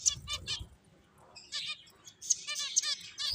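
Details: Finches playing, short bursts of quick high chirps in rapid series, separated by a brief quiet gap.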